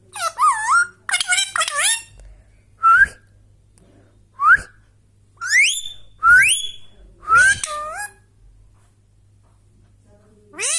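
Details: A pet rescued Indian ringneck parrot gives loud, clear whistles, mostly short rising slides, in uneven bursts every second or two, with a low hum beneath.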